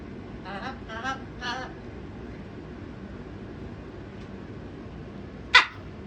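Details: A pet male macaw on his owner's bed screams off and on for about two hours, wanting something the owner couldn't work out: a few softer, wavering, voice-like sounds in a quiet room, then one loud, harsh, grating scream near the end.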